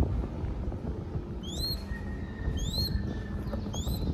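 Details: A baby crested goshawk being hand-fed in Cambodia gives three thin, high, upslurred squeals roughly a second apart, over a steady low rumble of background noise.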